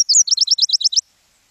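A Nashville Warbler sings a quick, high, sweet phrase: two thin opening notes, then about seven rapid paired chips, all over within a second.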